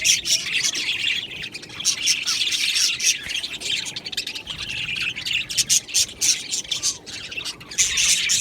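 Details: Aviary colony of budgerigars producing constant high twittering and squawky chirps, loud and crowded, with a looser, choppier stretch before the full chorus returns at the end.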